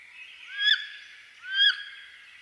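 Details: Wood duck giving two loud, rising squealed calls about a second apart, each sweeping upward with a sharp bright end, over a faint steady background hiss.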